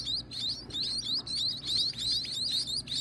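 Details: Nestlings at feeding time keep up rapid, high, sweeping chirps in eager clusters, nearly three per second, with brief gaps between groups.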